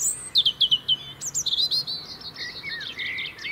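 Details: European robin singing in the UK, where it sings year-round to hold its winter territory: a rapid run of high thin notes, then wavering sliding phrases, while a second high twittering voice overlaps.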